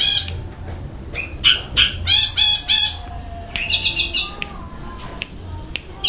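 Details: Gacor long-tailed shrike mixing kasaran fill and tembakan rolls: a thin high whistle, then buzzy harsh pulses, a quick trilled run and scattered sharp clicks.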